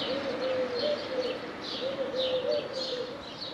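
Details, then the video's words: Dove song: soft, low, hollow coos strung in short repeated phrases, with a pause near the middle, over a steady background hiss, while faint high chirps of other small birds sound above. "The Dove Song"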